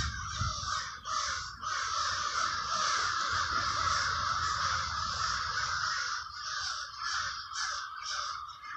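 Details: Crows massed in the Villa Park neighborhood of Trenton, New Jersey: long continuous cawing chorus, briefly dipping at one second, then breaking into choppier pulses in the final seconds.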